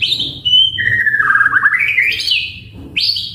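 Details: White-rumped shama song for provoking a response from other birds: a high steady whistle drops into a long wavering, slightly trilled run that climbs again to a bright buzzy note, ending with a short rising whistle.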